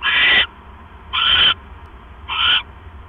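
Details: On 18 October 2015 at 7:24 PM, an owl screeches while a male hands a rat to his mate; three rough, breathy bursts roughly a second apart, the first longest, with quiet hum between.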